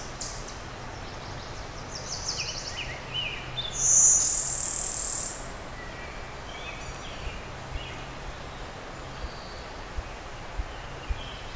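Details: Brewster's warbler, a Blue-winged × Golden-winged hybrid, at Oil Creek State Park, western Pennsylvania, on 20 May 2011, cloudy, within two hours of sunset. It gives a high, dry, buzzy Blue-winged-type song lasting over a second. Other birds chip faintly over steady hiss.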